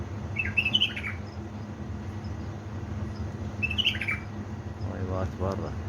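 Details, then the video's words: Pre-dawn singing at 3 am, 19 August 2020, by a pet bulbul from Baladruz, Diyala: a pair of fast, slurred warbles about three seconds apart, then brief human speech near the end. "أجمل واحلى تغريد من طيوري علاوي نهروان من بلابل ديالى بلدروز"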